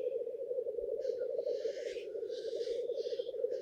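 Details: Male black grouse on their display arena, where a low burbling drone continues under a run of loud drawn-out hissing rushes that begins after one second and keeps going.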